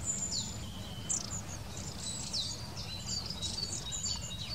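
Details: Busy high-pitched chatter from a Long-tailed tit: rapid thin 'si-si' notes and short slurs crowding together, a low rumble of background noise underneath.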